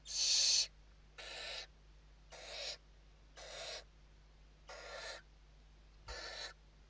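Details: Western barn owls in a nest box in Spain during evening feeding, 29 November 2023; six evenly spaced harsh hisses roughly once a second, the first loudest, over faint electrical hum.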